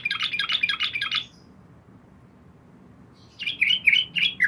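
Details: Yellow-vented bulbul, a female calling the male at night: two bursts of rapid, bubbly chortling notes, the first about a second long, then a pause, then a second bubbly run.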